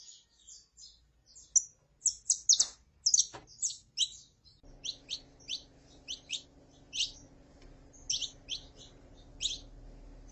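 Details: Saffron finch, male singing with a female calling: quiet high chirps at first, then louder sharp notes, followed by a steady train of clipped high chirps over a low indoor hum.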